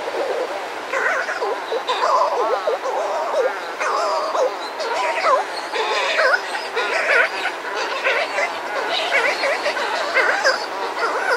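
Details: Outside a burrow, a pair of Buller's shearwaters calls among other birds with surf behind, producing a busy tangle of warbling, rising and falling wails with no pause.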